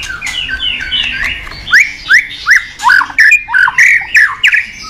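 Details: Caged white-rumped shama singing in the morning as a lure for training: after soft chatter, a run of sharp upward-swept whistled notes repeated about every quarter second, then varied slurred phrases.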